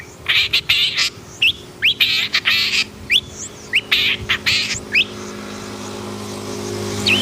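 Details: Agitated long-tailed shrike singing: harsh, broadband rasping bursts mixed with short, sharply rising whistled notes, delivered in quick runs over the first five seconds, then mostly quiet with a faint steady low hum.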